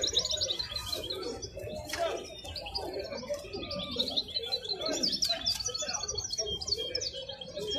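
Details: Wild goldfinch at the Gueria bird market: a steady stream of high, rapid twittering and tinkling chirps runs throughout, over constant low chatter of people talking in a busy market.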